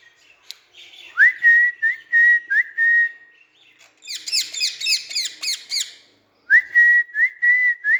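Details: Pet green parrots in a garden: clear rising-then-level whistles repeated several times, broken in the middle by a burst of rapid harsh chirping notes, then the whistles return.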